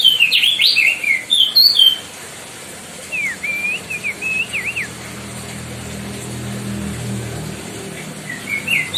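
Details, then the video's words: White-bellied bushchat (Decu Timor) singing loudly for training other birds: a burst of dense, jumbled whistled notes, a pause, then a quieter series of wavering twisting whistles over a faint low rumble. "DECU TIMOR GACOR DOR LANGKA UNTUK MASTERAN BURUNG LAIN"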